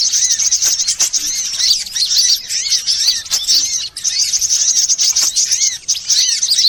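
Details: Sunbirds of various kinds calling as a lure for birds: unbroken high-pitched jingling chatter, with sweeping arched notes recurring every second or so and a brief lull partway through.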